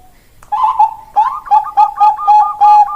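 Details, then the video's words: Zebra dove, Bangkok type: two drawn-out wavering coos followed by a quickening run of short, rolling notes. "Suara Perkutut Bangkok Berkelas"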